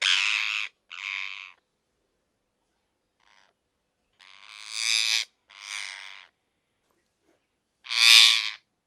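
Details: Parrot producing a run of harsh, rasping screeches of varying length, separated by short silences, with the last screech the loudest. No other sounds are heard.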